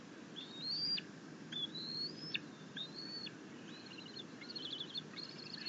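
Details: Bald eagle eaglet self-feeding on a rabbit, then fed a fish by its mother, chittering as a happy eaglet. Thin, high whistled notes, some rising then flat and others wavering, repeated about once per second over steady low background noise.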